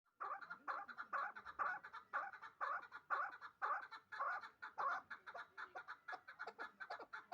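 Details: Two-year-old hybrid partridge kept in Dushanbe for fighting and hunting, giving a steady run of clucking chuk notes about twice a second, each burst harsh and mid-pitched, with no other sounds.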